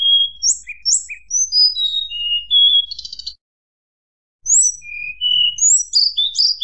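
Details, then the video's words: Tledekan gunung singing in a fluting style meant to provoke rival birds: clear high whistled notes, some rising and some falling, come in quick bursts, then a short silence and more sharp whistles. "tledekan gunung nyuling bikin lawan emosi"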